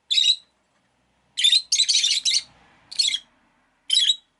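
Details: Rosy-faced lovebird, one of five kept in a window-side cage, giving shrill, harsh chirps in short bursts, about five in four seconds, with one longer scratchy run in the middle; possible street noise between.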